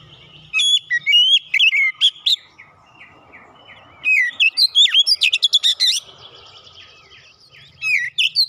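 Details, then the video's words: Lure recording of an Oriental magpie-robin for a bird that has gone silent. Loud phrases of sweet whistles mix with harsh chips. A quieter stretch of soft notes splits the singing, then a dense burst follows and a short phrase closes it. "TANPA LAMA LAMA KACER MACET BUNYI LANGSUNG NGEPLONG GACOR SEKALI PANCING"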